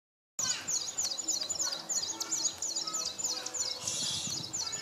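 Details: Displaying male São Tomé prinia at Nova Moca, São Tomé, 19 January 2019: high, thin chirping notes in rapid, evenly repeated phrases, about three or four per second, rattling steadily with faint background hiss.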